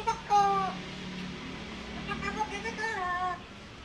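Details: Talking African grey parrot asking for food as it dances, giving a sequence of voice-like harmonic notes that slide and waver, with a low steady hum beneath and a brief loud note near the start.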